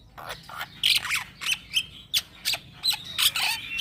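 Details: Young black-winged myna in full, continuous rolling song, used as a tutor and lure for training other birds: harsh squawks and buzzy bursts mixed with short whistled notes, delivered in quick irregular pulses.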